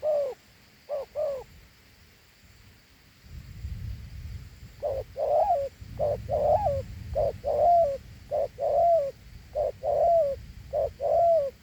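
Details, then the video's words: A two-note coo from a large Thổ Hú spotted dove, one pair and then a silent gap, before a steady series of short-then-long falling coos resumes over a low background rumble. "Thổ Hú âm gù hay.gù 2 âm gù quá tốt"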